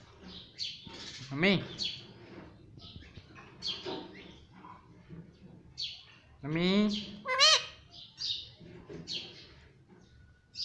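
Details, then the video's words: Talking green ringneck parrot at home repeating "mummy", mixing short high chirps and clicks with a few longer, rising, voiced syllables, scattered across the clip in an irregular rhythm over faint background noise. "Mummy Papa Bolne Wala Tota || Talking Parrot || Pattu Parrot Talking"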